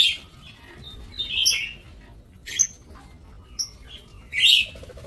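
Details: Aviary-kept lovebirds, recorded 5 July 2024, make scattered piercing squeaks and short shrill chirps, spaced about a second apart, some slightly whistled.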